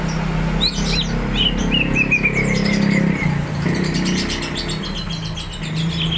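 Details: Greater green leafbird (cucak ijo) in full song, said to be primed to fight: a long descending run of clear whistled notes, then dense chattering phrases over a continuous low droning background.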